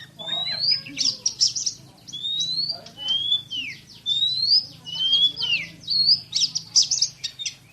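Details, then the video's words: Oriental magpie-robin (kacer) singing in the fast, tightly packed shooting style, with clear whistled slurs mixed with buzzy trilled bursts, phrases following in rapid succession, over a low steady hum. "KACER JUARA SUARA TEMBAKAN !!! BURUNG KACER NEMBAK SPEED RAPAT"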